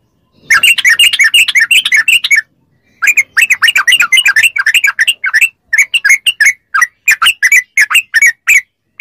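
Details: A yellow-vented bulbul sings a fast ropel song, used to coax captive bulbuls into responding. A dense, tumbling chatter runs on, pauses briefly, then continues as slightly more spaced, bright, liquid notes.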